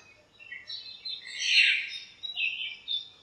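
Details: Cool shiny morning in a backyard lemon tree full of birds: a swelling cluster of high chirps and twitters peaking midway, then a few quieter scattered notes over soft background noise.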